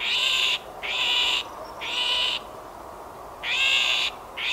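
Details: Great grey shrike alarm: harsh, grating rasps, each lasting around half a second, given four times in a loose series with brief silences between.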